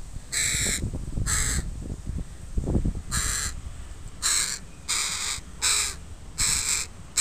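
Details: Crow family with young crows in a park, recorded on a Sunday: seven harsh, hoarse caws at uneven intervals over about seven seconds, with low rustling and thumping sounds close by.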